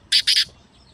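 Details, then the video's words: A kept black francolin delivers two quick, loud, grating notes in rapid succession, very brief and harsh, with a quiet background. "Black Teetar Voice/Kalay Teetar Ki Awaz"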